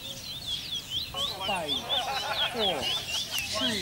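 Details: Caged bullfinch at an annual bird whistling competition in Malabar, Arima, Trinidad, 2019, giving quick, repeated high whistled slurs that rise and fall. People talk over the singing throughout.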